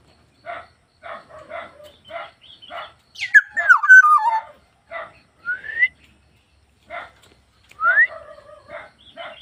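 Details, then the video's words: Black-naped oriole in full song: evenly spaced rasping, nasal notes, broken by a loud liquid whistle that falls in steps in the middle and by two short rising whistles later. "BURUNG PODANG GACOR"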